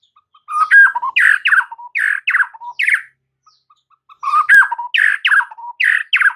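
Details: Training song of the white-rumped shama, said to rouse mute caged birds into song and fighting mood; loud, clipped whistled phrases repeated in a rapid rhythmic series, a brief quiet gap, then the same sequence again.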